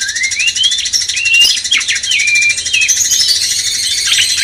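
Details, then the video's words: Cucak cungkok bulbul master song for stirring a magpie-robin; rising whistled glides and clear slurred notes follow one another, accompanied by a continuous high, grainy hiss. "Masteran cucak cungkok bangkitkan emosi kacer"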